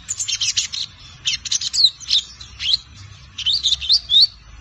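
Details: Five-month-old captive lined seedeater practising its "Tui Tui zel zel" song: bursts of quick, high buzzy notes followed by rising, sweeping whistles, delivered in short phrases separated by brief gaps.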